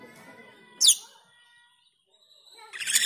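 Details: Black-winged myna (jalak keling) calling to train cucak keling: one harsh descending screech, a quiet stretch with faint tones, then a rising rough chattering burst.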